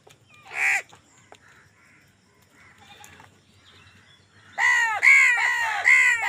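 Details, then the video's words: Crows fighting for food: one harsh caw, a quiet stretch, then a rapid burst of four or five loud, grating caws in quick succession. "কাকের ডাক Crow Sound Crow ki Awaz Loudly | Crow bird Fight for Food"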